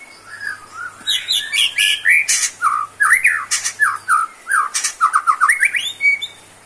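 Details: White-rumped shama (murai batu) in full song, kept as a cage bird for therapy of low-stamina birds; loud dense run of varied whistled slurs, sweeping notes and harsh chattering bursts, with high trills between phrases.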